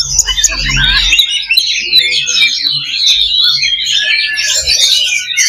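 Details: Fighting simulation of Oriental magpie-robin (kacer) song, played to strengthen a bird's fighting spirit: continuous rapid, high warbling and chattering notes, with a low rumbling hum during the first second.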